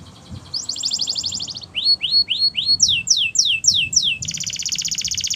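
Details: A canary sings for song training, starting with a bright buzzy trill, moving into a set of rising slurred notes and sharp falling whistles, and ending on a steady rattling roll.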